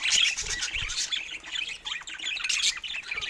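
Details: Captive budgerigars bred for rare feather mutations give continuous high-pitched, scratchy warbling and chirping, many birds overlapping in a steady busy chatter.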